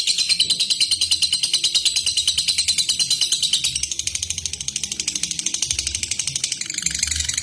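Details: Long ngekek of a lovebird, used as a lure to provoke a rival into singing: a steady, very fast, piercing chatter of high notes, unbroken for the whole stretch, easing slightly in the middle and then picking up again.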